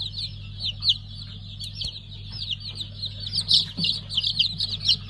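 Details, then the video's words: Freshly hatched pheasant chicks from a five-colour line, 3 August 2019, keep up a busy stream of high, sharp peeps that overlap and thicken toward the end, with a steady low hum underneath. "5 Renk Fizan - Yeni Civciv Çıkımımız."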